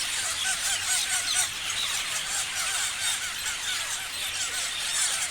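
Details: A crowd of parrots keeps up busy high-pitched chirping, countless short squeaky notes overlapping into a constant twittering wash that barely rises or falls.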